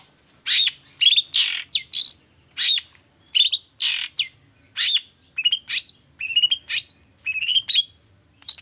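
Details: Long-tailed shrike delivering a dense 'toet toet' song to coax lazy shrikes into singing: continuous alternation of harsh scratchy bursts and sharp whistled upslurs, several notes each second.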